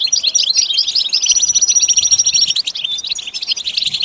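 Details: European goldfinch song: a dense, rapid twitter of high, tinkling notes, with one long, thin, level whistle held through the middle and buzzy trills around it.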